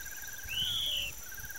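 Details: Grey monjita, a bird of open fields and riverside cerrado, gives a single loud, clear whistle of about half a second that arches up and then slowly down. A buzzy pulsed note repeats faintly behind it, over a steady high hiss.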